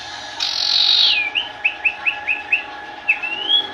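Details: Sooty-headed bulbul singing: a loud, long buzzy high note that slides downward, then six short quick upswept whistles about a quarter second apart, ending in a rising drawn-out slur, over a faint steady hum.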